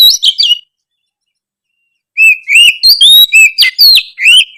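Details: Oriental magpie-robin singing to encourage a lazy magpie-robin to sing more often: a brief chattering phrase, a pause, then a fast run of clear whistles, slurred notes and harsh rasping sounds.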